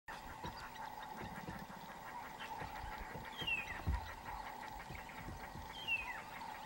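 White-faced whistling ducks give clear, high, falling whistles, twice a few seconds apart, over a steady droning background hum.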